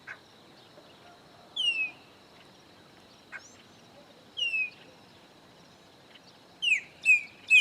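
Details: Chopi blackbird, one of three visiting a farm in Bahia's Caatinga sertão, Brazil: three loud, clear whistles sliding downward, spaced a few seconds apart, with faint higher notes between them in a quiet setting.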